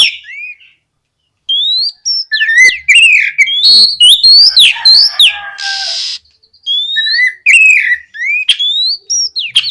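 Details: Loud, persistent oriental magpie-robin song played to coax other magpie-robins into replying: rapid varied whistles, sharp slurred chips and twangy phrases in dense bursts, with one brief harsh rasping note and a short pause early on.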